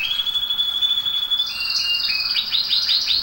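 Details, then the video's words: Canary song for coaching young birds to sing: a long pure whistled note held steady, breaking into layered trills and a quick series of rising sweeps. "canto do canário do reino ,para ensinar canário."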